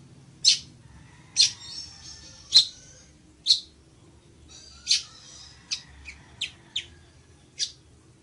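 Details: Ploceus cucullatus, the village weaver, delivering a series of sharp high chip notes spaced roughly a second apart, with short buzzy rasping fragments between them and a quick run of clipped notes near the end.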